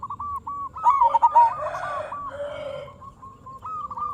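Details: Local zebra dove cooing as a lure to provoke other perkutut to sing: repeated soft hooting notes run through the clip, partly overlapped midway by a louder, rougher burst of another bird-like sound.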